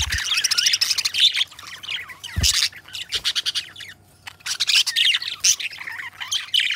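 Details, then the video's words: Budgerigars kept as pets chatter steadily, a dense run of buzzy, clicking notes and high squeaks, with a few soft low thumps and a short quiet gap midway. "Budgie Sounds: Birds Singing You to Sleep"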